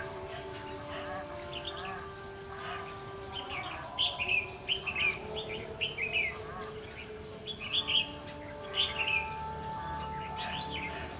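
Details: Red-whiskered bulbul during a trapping session for a flock-leading bird, 14 March 2016; lively warbling phrases come in bursts every second or two, while thin, sharp, higher chirps from another bird repeat over a faint constant hum.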